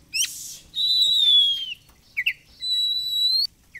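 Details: Oriental magpie-robin song played as a lure to make it spread its tail: a long bright steady whistle, a brief double note, then another long level whistle with rich overtones.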